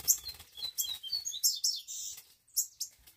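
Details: Caged green-winged saltator being warmed up and growing highly agitated, its cage covered. Short clear whistled notes slide between middle and high pitch, mixed with sharp bright chips in quick bursts and a brief pause near the end.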